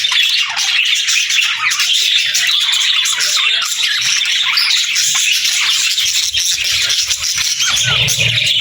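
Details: Several budgerigars kept as pets chirp and squawk nonstop, their rapid warbling notes overlapping into a lively din, with a low rumble entering toward the end.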